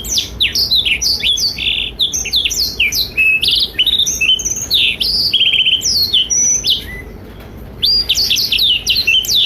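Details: Lively Blackthroat tutor song for young and adult canaries: fast, jumbled high phrases of rising and falling whistled notes, steady for about seven seconds, a brief lull, then the twittering resumes.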